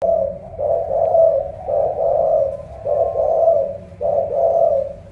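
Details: Spotted dove from Ca Mau with a powerful, pigeon-like voice gives deep, resonant coos. Four or five drawn-out phrases rise and fall about a second apart against a quiet low rumble.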